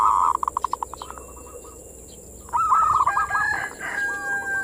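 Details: Zebra dove, locally perkutut, in manggung song used to boost breeding drive in local doves; rapid descending pulsed notes, a quiet gap, then rich overlapping warbled coos to the end, with a high steady hiss.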